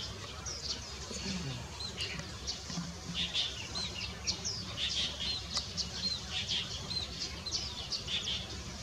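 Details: Japanese white-eye (Zosterops japonicus) at Baisha Wangshan: thin, high chirps and short twittering notes scattered throughout, fairly faint over a steady low rumble of background noise.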